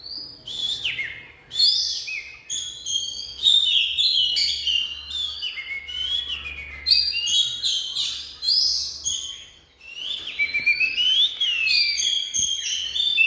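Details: Oriental magpie-robin in full song: dense, lively mix of whistled slurs, buzzy notes and sharp chips in rapid phrases with short breaks; faint low background rumble.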